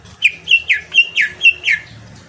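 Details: Green leafbird lure song: a regular string of seven loud downslurred whistled notes, about three per second, with faint low hum behind.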